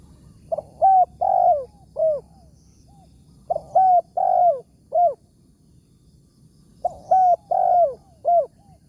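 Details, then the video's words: Spotted dove, a wild big-voiced target bird during a morning luring session with a decoy, repeats its four-note cooing phrase three times, roughly every three seconds, each with a drawn-out falling third coo; calm background. "TEKUKUR SUARA BERSAR"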